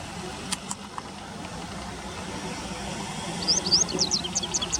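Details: Call of a Japanese wagtail from a bird field guide. Over a rumbling, vehicle-like background, a quick run of high, thin chirps with sharp up-and-down sweeps is crowded into the final second and a half.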